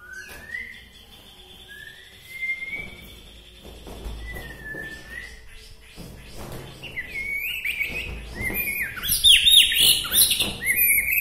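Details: White-rumped shama from Bahorok, Medan, singing in a way that stirs up other shamas: long thin whistled notes and rising slurs early on, building to a loud burst of rich, rapid varied phrases near the end, with knocks and clatter behind.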